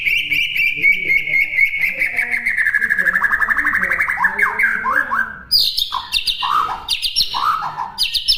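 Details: Training song of a White-rumped shama for birds to learn: a fast rattling trill held for several seconds, sliding slightly down. Abrupt loud high whistles and lower slurred notes break in after it.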